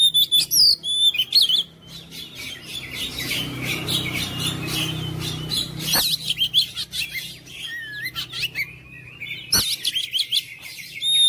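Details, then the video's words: Oriental magpie-robin song meant to rouse silent, lazy magpie-robins into steady singing: bursts of rapid high chirps and whistled slurs, with a quieter stretch midway filled by low background rumble and two sharp clicks. "KICAUAN KACER MENGOYAK KACER BISU MALAS BUNYI JADI NGOTOT GACOR"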